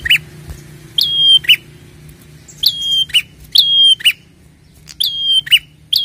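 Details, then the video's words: Prinia (prenjak kepala merah) gives loud, high, ringing chirps with sharp upward-flicked notes in quick bursts of two or three, every second or so, over a faint low hum. "pancingan prenjak gacor ampuh merangsang bunyi prenjak"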